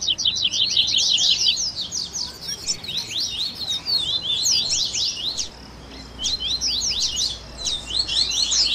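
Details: Double-collared seedeaters in a warm-up recording for a caged bird: fast, overlapping high chirps and sweeping notes, a short lull past the midpoint, then renewed bursts.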